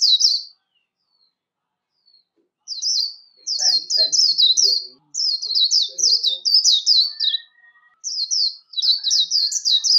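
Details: Warbling white-eye delivering competition song for voice training: groups of rapid high, slurred twittering notes separated by short pauses, with faint low murmuring and a soft tone in the background.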